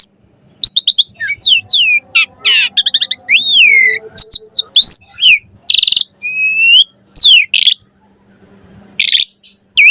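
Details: Varied chattering song of an Asian pied starling, recorded as a master for training birds: rapid chirps, upslurred and downslurred whistles, and sharp clicks and buzzes in quick irregular bursts with short pauses between.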